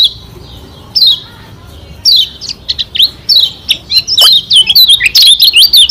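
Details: Lombok white-eye song meant to provoke rivals into singing: scattered high descending chirps building into a rapid, dense run of twittering notes toward the end.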